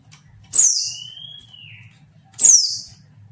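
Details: Female mountain white-eye calling, used as a lure to provoke quiet males into answering: two sharp, very high downslurred chips about two seconds apart, with a thin, steady whistled note drawn out between them over a low background hum.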